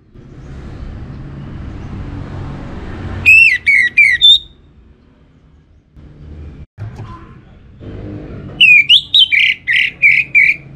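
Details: Orange-headed thrush singing a lure song: two loud bursts of rapid, varied whistles and trills about five seconds apart, with steady low rumbling noise between them.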